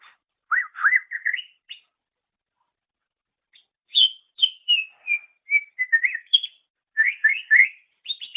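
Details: Greater green leafbird, recorded as a master for training songbirds, gives upward-sweeping chirps, a pause, then a flowing string of clear whistles falling step by step before fast repeated trills.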